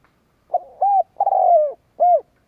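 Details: Cooing of a kept spotted dove decoy meant to provoke rivals. One phrase: a soft opening note, an arched coo, a long rough downslurred croon, and a final rounded coo, clear against silence.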